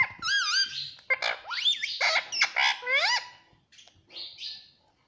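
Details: Talking parrot, said to say "Mummy Papa": a busy, chattering stream of squawky, wavering syllables and sharp chirps that rise and fall rapidly, fading into softer scratchy notes at the end.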